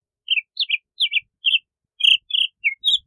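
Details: Bahama mockingbird singing: short bright chirped and slurred notes given in quick pairs, some dropping in pitch, over about three seconds against a silent background.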